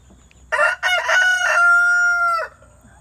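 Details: A single rooster crow recorded near Branson, Missouri, close to Eureka Springs, Arkansas, with two clipped harsh syllables leading into a drawn-out level tone of more than a second that cuts off sharply, over a quiet low hum.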